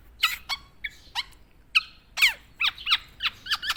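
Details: Black-naped oriole, a tame bird, giving scattered sharp chirps and quick downslurred notes, each separated by short gaps, against a quiet background hiss.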